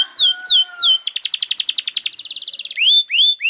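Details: Canary song for training young canaries and prompting silent ones to sing: three high downward-slurred whistles, then a fast buzzy trill of rapid repeated notes, ending with rising whistled sweeps.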